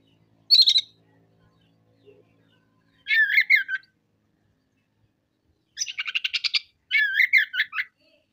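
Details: Oriental magpie-robin (kacer) singing energetically in rough-material style, showing off its repertoire. Separate phrases come in turns: a sharp high note, a warbled twisting phrase, a buzzy rapid rattle and another jumbled warble, all against silence.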